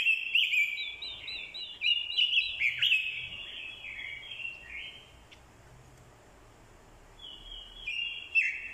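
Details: Orange-headed thrush lure singing combative song, triggered by female calls. An energetic run of overlapping warbled phrases fades into a lull, then a brief, sharp phrase returns at the end.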